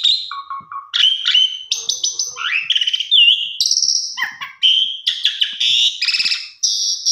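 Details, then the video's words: Pied myna singing a lure track for mynas gone quiet, mixing low whistled notes, buzzy trilled phrases, rising and falling slides and harsh grating bursts in quick succession. "Pancingan Jalak Suren Macet Bunyi"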